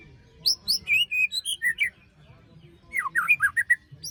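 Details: White-rumped shama besetan song, meant to trigger singing in birds silent after moulting: two fast runs of bright, ringing whistles, with sharp falling slurs in the second run.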